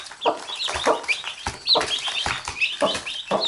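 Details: Mother hen with her chicks, the chicks biting her and the hen pecking at them: low, short clucks about every half second under a steady stream of high, thin chick peeps.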